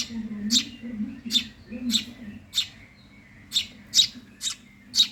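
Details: Eurasian tree sparrow nestling, hungry, giving piercing short chirps about every half second, a brief pause midway, then more chirps; faint low hum behind.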